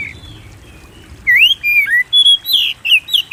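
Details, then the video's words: White-rumped shama song for provoking caged birds to sing: a quiet start, then loud slurred whistles and bright chips in quick succession. "Pancing Burung Kacer Gacor"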